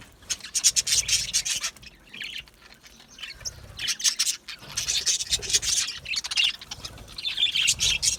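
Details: Budgies in an aviary chirping in bursts of fast, high, scratchy warbles and clicks, separated by short quieter pauses, several birds calling at once.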